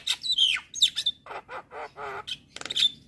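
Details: Javan myna in vigorous song for training kept birds: squeaky slurred whistles, then a run of four nasal, buzzy, harmonic-rich notes, ending in a scratchy burst and a high squeak.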